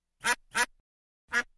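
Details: Three rasping duck quacks, a quick pair followed by a single call after a gap of about half a second, each short and buzzy against a silent background.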